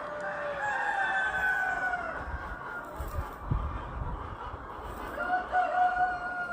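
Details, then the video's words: A barn full of roosters on an Amish farm in White Deer Valley, Pennsylvania, crow loudly over one another, with long harmonic cock-a-doodle-doos overlapping and low rumbling and clatter beneath. "The Sound of Roosters Crowing"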